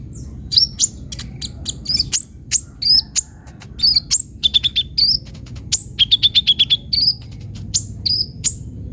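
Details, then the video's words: Sunbird singing energetically with full varied fills, used to lure and tutor other birds; rapid series of high, thin chirps and short upslurred whistles, some in quick stuttering bursts, over a steady faint high hum. "KOLIBRI NINJA GACOR FULL ISIAN"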